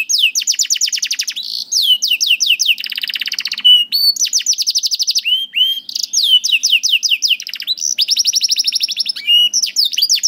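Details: Canary song for tutoring young canaries: rolling trills of rapid repeated notes alternating with buzzy rattles and short slurred whistles, phrases changing every second or so without pause.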